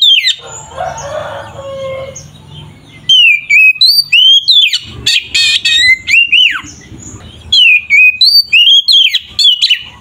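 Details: Oriental magpie-robin singing in a combative, continuous style meant to rouse other magpie-robins: after a muffled noisy opening, rapid loud whistled notes sliding and looping, with sharp high clicks.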